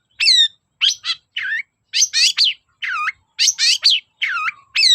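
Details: Long-tailed shrike singing to lure hesitant shrikes into song: paired and triple bursts of harsh, rasping notes with descending whistled sweeps, delivered in spaced phrases.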